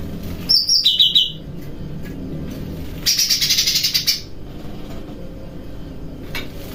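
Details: Caged cucak rante bulbul singing cheerfully while bathing at night, practising kapas, tembakan and besetan song styles: a high trilled note dropping to a lower trill, then after a pause a longer bright buzzy trill lasting about a second.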